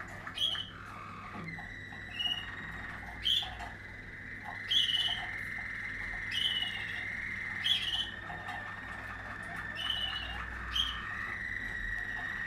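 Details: Waterslager canary from a 2020 strain singing steadily: short ringing whistles repeated roughly every one to two seconds over a constant high trilling roll.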